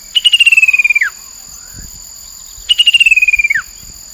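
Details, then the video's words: Chestnut-capped babbler from the Mekong riverbank, Nakhon Phanom, Thailand, 2021, as lure sound: two loud, clean pulsed trills, each about a second long, sliding gradually down and ending in a sharp drop, with a long pause between. "นกกินแมลงกระหม่อมแดง Chestnut capped babbler sound"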